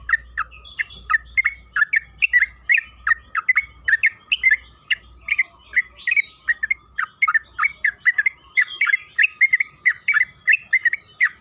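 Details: Yellow-vented bulbul (trucukan kebo) in long rapid chattering song, used as a lure to get other bulbuls singing: dense, nonstop bubbly chirps and squawky notes for over ten seconds, with a low steady hum beneath.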